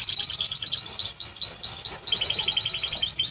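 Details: Timbrado Español canary singing: rapid repeated high notes, a run of quick descending sweeps in the middle, then fast even trills, all bright and metallic.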